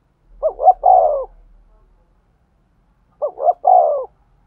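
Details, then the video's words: Spotted dove cooing to stimulate a male: two identical low phrases, each two short rising notes followed by a longer falling coo, separated by about two seconds of silence. "tiếng chim cu gáy thúc gù, tiếng chim cu gáy kích bổi"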